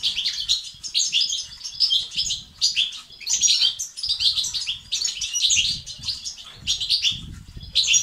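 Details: European goldfinch song for motivating males: continuous bright twittering with rapid chirps and trills in clustered bursts, high and metallic, little else heard.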